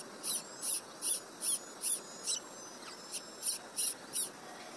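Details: A late-hatched Little pied flycatcher chick, which often misses out on food, gives thin, high, hissing begging calls, about two or three each second, over a soft steady background hiss.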